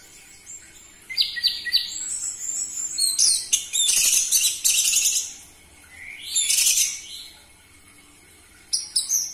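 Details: Orange-headed thrush song to provoke captive birds into singing: energetic rapid phrases of high trills, harsh chatter and mimicked notes in long loud bursts.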